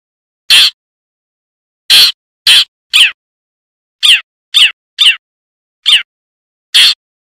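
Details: Long-tailed shrike in the wild, used as a lure call, giving nine short, harsh, rasping notes at uneven intervals over about seven seconds, with silence between them.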